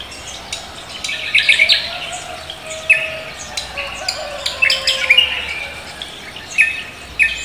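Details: Javan green magpie singing hard at daybreak in the 'koak kelapa' style: repeated sharp whistled chirps and short trills through most of the clip, over a soft constant hiss.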